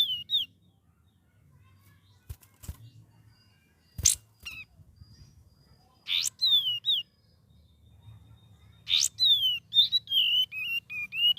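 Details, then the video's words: Sooty-headed bulbul, a young bird learning to sing with varied phrases: short whistled slurred notes, harsh rasping bursts, sharp clicks, and a final run of quick wavering whistles; quiet low rumble behind. "KAPAS TEMBAK BELAJAR GACOR PENUH VARIASI"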